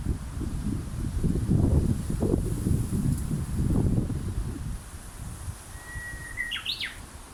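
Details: A Japanese bush warbler sings one long, steady, clear whistle, then a quick rising and falling flourish of notes to finish the phrase. Steady wind-like rustling noise fills the background.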